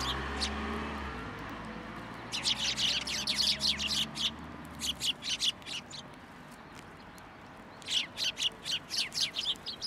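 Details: Sparrows gathering at a post to be fed at a Tenmangu shrine, Japan, on 2 January 2023: bursts of high, rapid chirping, one around two to five seconds and another near the end, over a faint low hum at the start.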